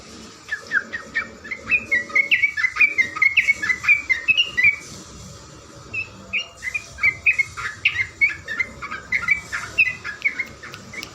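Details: Yellow-vented bulbul (trucukan garuda) singing actively, a training recording for cage birds: bubbly whistled phrases of short rising and falling notes, repeated in runs with brief pauses, over a steady hiss.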